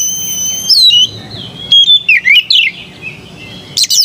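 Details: White-rumped shama song beginning with a long pure whistle, flowing into wavering and dipping slurred whistles, ending with a brief chattering burst.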